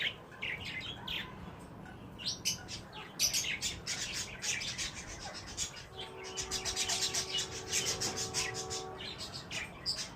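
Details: Wild green ringnecks in a mating encounter give scratchy, high chirps in dense runs, while a steady tonal hum sounds in the background for a few seconds midway.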